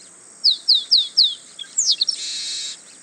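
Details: Male chestnut-capped blackbird singing in the wild at Itatiba, São Paulo, Brazil, on 24 March 2017 at 08:40: four quick descending whistled notes, then a sharp slurred note and a harsh buzzy burst, recorded on a camcorder.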